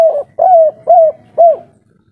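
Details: Local spotted dove of the kuk 3 style, calling agitatedly and noisily: four mellow, low cooing notes, each slightly arched and drawn out, given in steady succession with short pauses between, over a quiet background.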